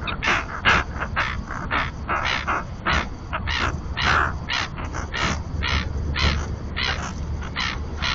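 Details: Common terns (Sterna hirundo), two pairs at a nesting colony on a floating platform in the Marismas de Astillero reserve, Santander Bay, Cantabria, Spain, give harsh, grating calls in quick overlapping bursts several times a second over a low rumble.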